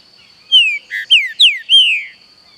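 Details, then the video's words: Green-winged saltator song with forest ambience: five loud whistled notes, most sliding downward, the second lower and buzzy, the last a long descending whistle, above a steady insect whine. "PIXARRO CANTANDO AO SOM DA FLORESTA"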